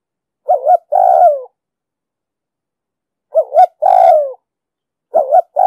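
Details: Deep-voiced spotted dove in an urging coo style, used as a lure for trapping and for training newly caught doves. Two full phrases of a quick double coo and a drawn-out descending coo, a third beginning at the end, with silence between.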